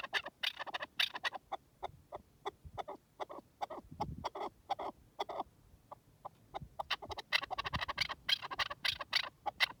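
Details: Out in the wild, a partridge utters dense series of harsh, clipped clucks, sparse at first and then thickening into a fast, chattering volley toward the end, with low rumbling underneath.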